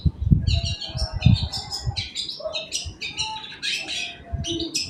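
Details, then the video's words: Long-tailed shrike morning lure song to set off other birds: rapid, jumbled chattering notes high up, mixed with a few softer lower whistles, and thudding knocks at the start. "apancingan cendet di pagi hari"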